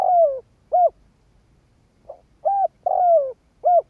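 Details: Decoy spotted dove cooing to lure wild doves. It opens mid-phrase with a falling coo and a short coo, then after a pause delivers a full phrase: a soft note, a level coo, a long downward-sliding coo and a short ending coo.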